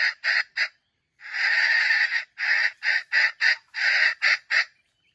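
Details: Older bait junglefowl used to trap wild jungle chickens crows in a young voice. Three short raspy notes lead into a long grating burst, followed by a run of clipped, hoarse syllables at an uneven pace.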